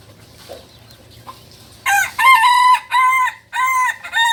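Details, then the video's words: Balenggek chicken, a native breed from Solok, West Sumatra, and a beginner crower. After a quiet start with faint low hum, a loud, harmonic-rich crow begins near two seconds: several drawn-out, level segments separated by short breaks. "Ayam kukuak balenggek PEMULA ayam asli solok sumbar"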